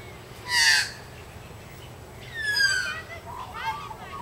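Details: Australian magpies socializing in suburban Sydney exchange calls: a loud, rich harmonic note, then warbling, sliding phrases that fall and rise, with a second bird answering, over a faint background hum.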